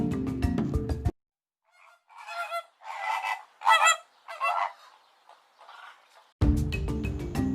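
A flamingo gives a run of about six nasal, goose-like honks over four seconds, with background music before and after.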